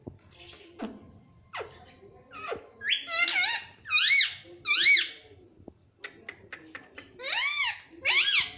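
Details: A pet ringneck parakeet indoors repeats the word mummy as high, nasal, arched squeaky syllables in pairs and threes, with soft clicks and rustles between, in a small room.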